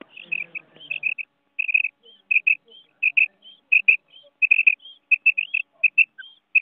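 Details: Female common quail calling in a Pakistani hunting setting: clear high paired notes, repeated steadily in quick doubles and triples with short gaps, against an otherwise quiet background.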